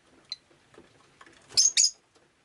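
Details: Pet rosy-faced lovebird on a rainy day: a thin squeak, soft clicks, then two loud harsh chirps close together near the end.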